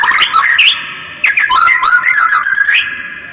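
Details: Quick, harsh white-rumped shama call used as a lure to make other birds respond; a dense jumble of warbled whistles and squeaky slurred notes over a steady whistled drone, fading at the end.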